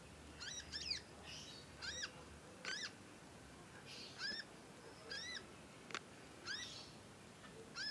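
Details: Young conin songbird learning to sing, chirping at length: bright, harmonic, arched chirps that sweep up then down, given singly or in quick pairs roughly every second over a steady background hiss.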